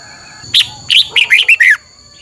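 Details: Red-whiskered Bulbul song for caged-bird training. A single phrase of six clear, bouncing whistled notes, each slurring downward, is delivered in just over a second.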